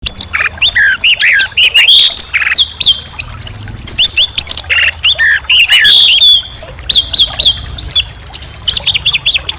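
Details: Orange-headed thrush singing a loud, clear, varied song of high whistled phrases, slurred notes and harsher chattering bursts, delivered almost without pause.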